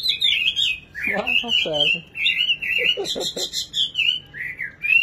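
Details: Nightingale warbling steadily in sliding whistled notes while people talk nearby in the background.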